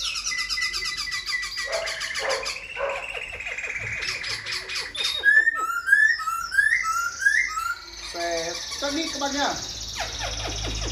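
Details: Silver-eared laughingthrush in a cage, a tame bird that fans its tail and sings all day; scratchy mixed phrases lead into a string of rising whistled slurs, then lower chattering notes.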